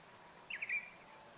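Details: Japanese bush warbler singing a song described as poorly sung: one short clear phrase of quick whistled notes, a brief sharp rise, a couple of clipped notes and a short trailing whistle, over steady faint outdoor noise.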